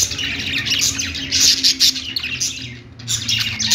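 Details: Short burst of perched budgerigars singing: shrill chirps and scratchy warbled notes from several birds, briefly quieter near the end.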